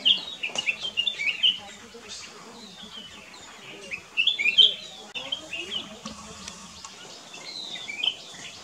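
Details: Singing Black-crested bulbul at Kyari Village, Corbett National Park, delivering quick tumbling whistled phrases in three separate bursts with quiet gaps between, low murmuring voices and light background noise beneath.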